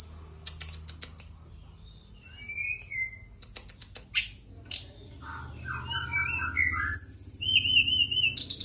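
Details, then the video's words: Sunda bush warbler singing actively: scattered high whistled notes and slurred phrases, some steady tones near the top, mixed with sharp clicking ticks and a low rumbling hum throughout. "Kicau teledekan gunung gacor teler"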